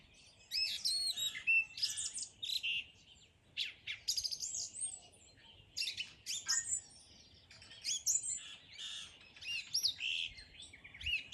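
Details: Dense morning song of twittering, chirping and warbling notes, delivered in lively bursts with short gaps.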